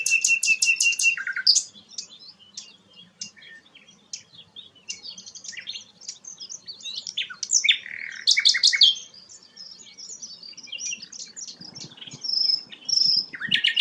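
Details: Sikatan londo, described as a rare bird, singing a lively varied song of high chirps, rapid trilled bursts and short whistled notes, with loud busy phrases alternating with quieter passages.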